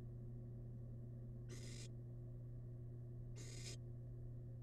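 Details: Two breathy, noisy hisses about two seconds apart from a small wild barn owl chick feasting on rabbit leftovers inside a research nest box, with a constant low hum underneath.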